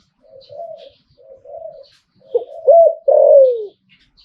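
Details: Zebra dove song in the 'Liu Tan' style: two soft, level cooing notes, then a build-up of clipped hooked notes ending in a loud, rolling, downward-sliding coo.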